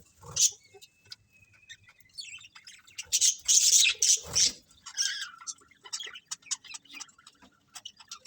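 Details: A colony of colourful budgerigars chirping: scattered high chirps, then a loud burst of overlapping scratchy chatter midway, followed by softer irregular twitters.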